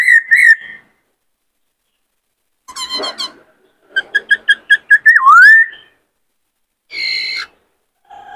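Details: Male White-cheeked laughingthrush kept in a cage and stirred by a new bird sings in many voices: a whistled trill, a buzzy burst, six evenly spaced chips, a dipping whistle and a flat hum-like tone.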